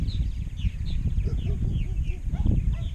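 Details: Large purple martin colony in Rainsville, Alabama, of about 920–930 pairs in 2016. Many purple martins chatter at once with overlapping gurgling chirps and short downslurred notes, over a steady low rumble of wind or handling noise.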